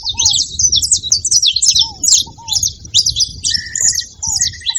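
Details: Saffron finches making noise at a feeding spot: rapid, crowded high chirps, a short low rattling trill midway, and scattered low hooked notes from another bird.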